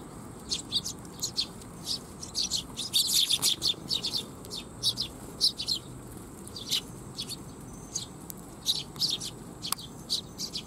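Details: Eurasian tree sparrows gathered at a Tenmangu shrine on 12 July 2021, coming to be fed: a flock gives short, high chirps in scattered bursts, clustering densely around the third second, with a low background hum.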